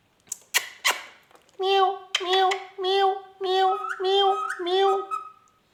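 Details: Pet rose-ringed parakeet talking indoors, mimicking speech and a cat: a few sharp clicks, then a run of six drawn-out, harmonic mewing syllables, each about half a second, nasal and slightly wavering.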